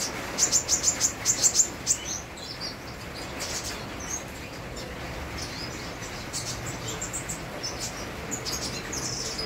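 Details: An actively singing sunbird, with rain: it opens with a burst of about eight sharp, very high chirps in quick succession. Softer, sporadic high notes follow over constant rainfall noise.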